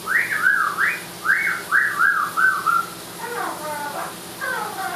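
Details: Amazon parrot in the shower gives a quick run of five or six arched whistled notes, each rising and dipping, followed by softer speech-like talking phrases.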